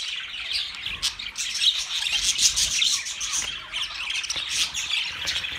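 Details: Busy high-pitched budgerigar chatter, many overlapping squeaky chirps and raspy warbles forming a steady wall of sound with no pauses.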